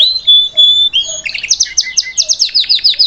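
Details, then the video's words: Salsa canary singing to teach a young bird to sing: a long, clear high whistle, then a rapid trill of short downward-sweeping notes, about seven a second, with a faint low whistle underneath. "Melhor canário salsa cantando para ensinar seu filhote a cantar/salsa canary singing live"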